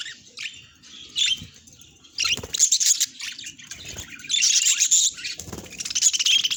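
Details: Happy pet budgerigar chirping in bursts of dense, scratchy high chatter and bright tweets, pausing briefly between phrases, with soft wing flutters.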